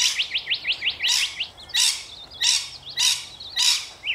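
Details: Rainbow lorikeets in Australia: rapid series of short rising-falling chirps, then loud harsh broadband screeches repeated roughly every half second.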